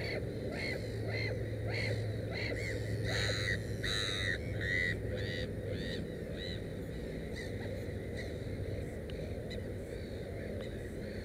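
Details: Black-headed gull at a nest with three chicks, giving a rapid series of harsh, nasal, slightly rising calls, several per second, over a steady low rumbling background.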